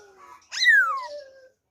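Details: Wild-type song of a black-throated laughingthrush, recorded 26 December 2020: soft low warbling, then one loud, bright, harmonic-rich note that slides steeply downward and trails into a faint lower tone.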